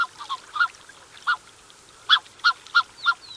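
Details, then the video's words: Close-up calls from a Black-necked swan pair with cygnets: a run of short, soft, nasal honks in irregular quick succession, about three a second at times, with a faint high whistle near the end. "Black-Necked Swan. MCU Calls From Pair With Cygnets."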